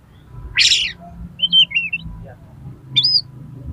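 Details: Fighting oriental magpie-robin, highly excited, singing to provoke other birds: one harsh scratchy burst, a warbled whistled phrase, then a single rising whistle against a low background hum.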